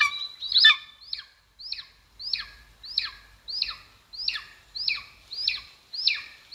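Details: Nest camera in Estonia, 2022: a golden eagle repeats clear, high whistled squeals that bend sharply downward, around ten evenly paced calls, with a quieter clustered start.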